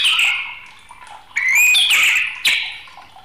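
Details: Agitated white-rumped shama uttering a few rich whistled notes, one swelling strongly, with a brief sharp accent near the end.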